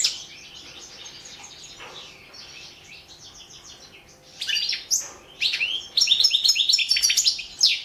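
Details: Entry in a world championship of goldfinch song, Balkan European goldfinch: soft, distant-sounding twittering for four seconds, then loud bursts of sharp, rapid chirps and trills.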